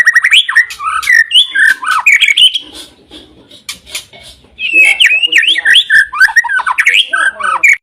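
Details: Champion white-rumped shama singing a dense, fast run of varied whistles and chattering notes in two long bursts separated by a quieter, scratchy pause.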